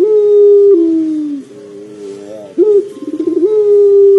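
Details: Puter pelung dove cooing to prompt other doves: a held deep note falling at its end, a softer wavering section, then an abrupt rise into a fast throbbing roll and a long level coo.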